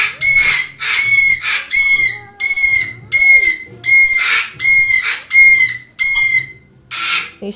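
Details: A rescued, once-starved cockatoo, from a kind known as screamers, gives loud, harsh, raspy screeches in quick succession, roughly one to two per second, with faint background voices.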